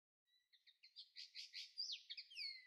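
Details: Common linnet recorded in May 2013: a fast twittering phrase. It opens with paired thin notes, then builds into dense, buzzy chirps and ends with a bright downslurred whistle. No other sounds are heard.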